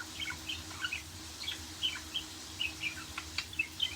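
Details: Budgerigar singing: soft, quick chirps and short warbled notes, irregular and bubbly, over a faint low hum.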